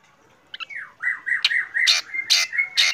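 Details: Black drongo singing in the morning: a falling whistled slide, then a run of short whistled notes at a steady pitch, broken by loud harsh rasping bursts.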